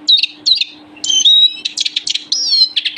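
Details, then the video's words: Captive Eurasian siskin pair singing: sharp twittered chirps, a drawn-out wheezy whistle, then clipped buzzy notes and another thin whistled slur, over a constant low hum. "European siskin finch singing"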